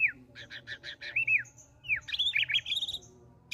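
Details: White-rumped shama singing to court, unloading its fill-in phrases: a quick stutter of harsh stacked notes, then rising and falling clear whistles and a scratchy trill, over low background rumble.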